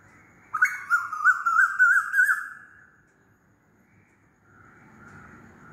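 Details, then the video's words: Loud Asian koel call: a single wavering whistle that climbs gently over roughly two seconds, followed by silence and then a faint, softer repeat of the tone. "LOUD KOYAL CALLING"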